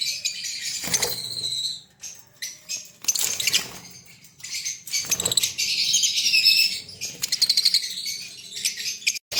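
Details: Green Fischer's lovebirds, a breeding pair in Pakistan, give clustered shrill chirps and squeals in separate bursts, with crackling movement noises between them.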